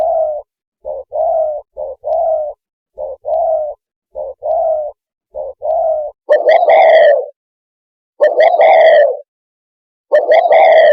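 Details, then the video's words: Spotted dove calling the flock: a series of soft, low, hollow coos in short groups, followed by three louder, fuller, richer coos spaced about two seconds apart, with a silent background. "Tiếng chim cu gáy gọi bầy"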